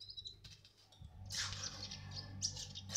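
A sunbird gives high, thin twittering chirps that run into a scratchy, buzzy burst, heard over a steady low mechanical hum.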